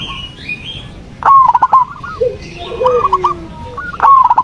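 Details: Zebra dove song meant to coax a quiet dove into answering: two loud bursts of clipped, stuttering coos, softer answering phrases between them, and high chirps from other birds at the start.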